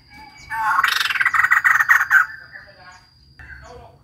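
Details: Female white-crested laughingthrush giving a fast, cackling chatter of loud pulsed notes for about one and a half seconds, fading into softer trailing notes and a short final call. A faint steady whine and low hum sit in the background.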